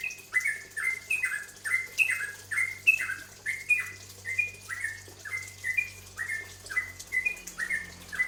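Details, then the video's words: Bulbul known as cucak ropel, recorded as a lure song to provoke other birds into singing; a long, even run of clear downslurred whistles repeating about once a second in a rolling rhythm. "Cucak ropel sampe pancingan"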